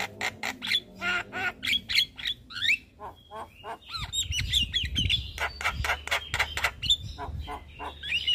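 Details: A Javan myna delivers busy morning song while bobbing, serving as a master recording for caged birds: dense chattering mix of harsh squawks, clicks and short rising and falling whistles, with some low background noise.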